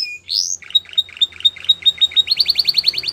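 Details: Belgian canary singing, recorded for training young canaries: a rising whistled sweep, then a fast series of short clipped notes about every tenth of a second, ending in a quicker run of bright rising chirps.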